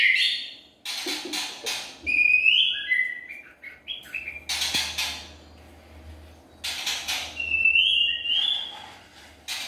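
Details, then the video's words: White-rumped shama pikat, a 2021 lure song: scattered whistled phrases, some rising and trilled, broken by loud sharp broadband bursts and short silences, with a faint low hum underneath. "Murai batu pikat 2021"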